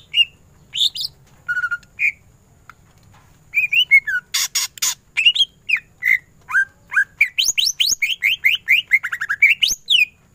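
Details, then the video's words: Greater green leafbird in masteran ngentrok song: varied whistled chirps, a loud noisy burst midway, then a fast series of bright upslurred notes repeated several times each second. "Cucak ijo gacor full tembakan ngentrok"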